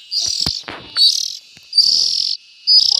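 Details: Three or four loud, raspy hissing bursts from young bulbul birds, mixed with rustling and handling noise.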